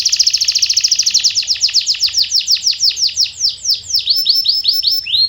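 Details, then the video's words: Canary song played as a lure to get silent canaries singing: a loud rolling trill of rapid repeated notes that gradually slows into distinct, downward-slurred chirps repeated several times a second. "Is Your Canary Silent⁉️🤫 Try This MAGICAL LURE for 5 Minutes!"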